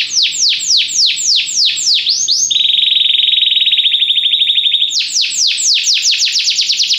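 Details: A Belgian canary's training song: quick series of loud descending whistled sweeps, a rising glide into a steady fast buzzy trill lasting over two seconds, then renewed rapid downward sweeps.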